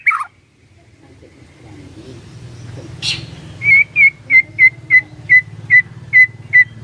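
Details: White-rumped shama lure song to make a quiet shama reply: after a soft opening and a brief rustle, evenly spaced pure whistled notes repeat about twice a second over steady low engine-like rumble.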